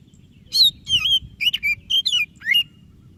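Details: White-breasted oriental magpie-robin singing energetically, used to prompt lazy birds to sing: six loud, clear whistled notes, some sliding up, others falling, in quick separate bursts over a steady low hum.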